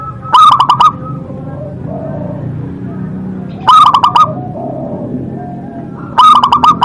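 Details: Local-strain zebra dove, praised for a loud, potent voice, gives three brief, loud bursts of rapid clipped cooing, spaced about three seconds apart, with quiet low murmuring between.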